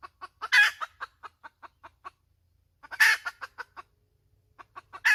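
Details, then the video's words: Repeated hen cackles: a rasping squawk followed by a run of short clucks, a pause, then another squawk and more clucks, ending on a third squawk. "Suab poj qaib tsauj dib tuaj zoo heev"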